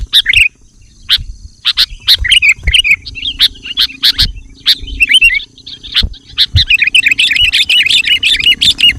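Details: Sooty-headed bulbul singing to draw in wild bulbuls: scattered sharp chirps and short warbles, ending in a fast, rich stream of bubbly high notes.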